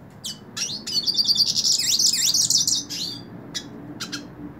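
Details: Hooded siskin singing while held in the hand: a rapid, twittering run of high, buzzy notes and quick slurred whistles, with a few separate chirps trailing off near the end over a faint low hum.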